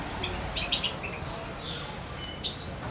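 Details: Juvenile European goldfinch of almost two months, reared by syringe feeding, near its owner; a few high, thin chirps and short twitters spaced across the moment over low background hum.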